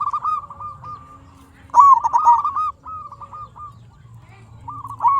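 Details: Zebra dove, a local perkutut used as a lure to get other zebra doves singing: soft cooing phrases held near one pitch with short trills, in bursts separated by pauses, over a low steady hum.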